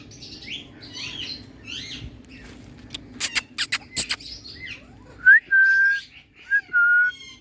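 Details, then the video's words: Indian talking parrot in good spirits: soft chatter and a burst of sharp clicks, then a rising whistle, a long level whistle and two more flat whistled notes. "Indian Talking Parrot"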